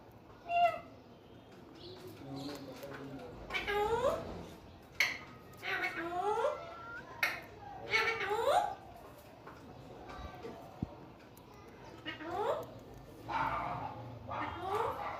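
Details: Pet talking parrot, said to speak in Urdu and Hindi indoors: a string of short, speech-like phrases with bending, voiced syllables, about ten bursts over fifteen seconds separated by brief pauses in a quiet room.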